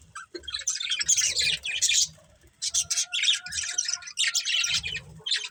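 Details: Pet budgies chirping and squawking in quick, harsh bursts of high chatter, with some thin whistled tones and soft low knocks in pauses.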